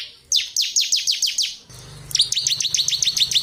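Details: Clear, energetic 'ngebren' singing by a ciblek kristal (bar-winged prinia), offered as a master recording for training birds: a run of descending high chirps, then a faster series of bright, looping whistled notes over low hum.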